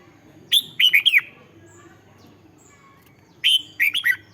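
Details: Red-whiskered bulbul song for rousing caged birds: two phrases of four quick, mellow whistled notes falling and rising, separated by three seconds of low hum.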